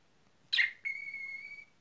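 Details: Pet cockatiel whistling indoors: a short harsh burst followed by a pure, steady whistled note held evenly for nearly a second, rich in clean overtones.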